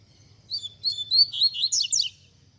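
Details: Tui tui zel zel song from a double-collared seedeater, used to teach young birds: a string of high whistled notes that speeds into steep, buzzy falling slurs before stopping abruptly.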